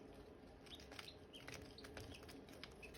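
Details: Silkie chicken chicks and hatching eggs chirping: faint, short high peeps scattered through the clip, partly masked by sharp clicks and tapping noises and a steady low hum.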